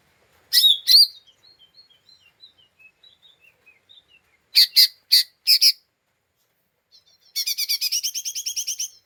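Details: Agitated lesser green leafbird, unstable temper, calling to provoke other birds: two harsh explosive notes, a trail of soft thin whistled chips, three more loud rasping bursts, then a quick stuttering chatter.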